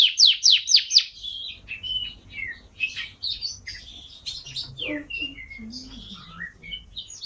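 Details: Canary song recording: a few loud sharp downslurred notes, then a quieter jumble of varied whistles, slurs and chatters at differing pitches.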